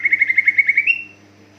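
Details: Greater green leafbird song used to trigger other leafbirds: about ten rapid evenly repeated chirps on one pitch, ending in a rising slurred whistle that fades, with a faint steady hum.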